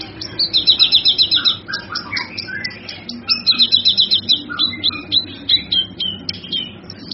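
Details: Cucak kinoi singing for a songbird tutor recording: rapid buzzy trills, then falling slurred whistles and sharp flicking chirps, the trill returning midway.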